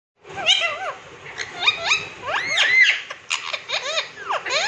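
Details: Caged green rose-ringed parakeet talking, repeating the Hindi phrase "main miya mithu hun" in squeaky, wavering syllables with rapid pitch swoops and short screechy notes, in a small room.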